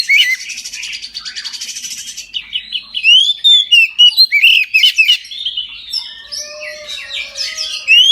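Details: Oriental magpie-robin in full midday song, used to prompt other magpie-robins to sing: a buzzy rattling start, then rapid varied whistled phrases, slurred notes and sharp chirps, tumbling on without pause.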